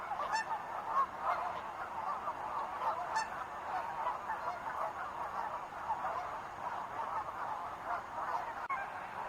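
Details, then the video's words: Wild geese calling as a flock, a dense continuous chorus of overlapping nasal honks, with individual calls blurring into a steady clamour throughout. "sounds of wild geese"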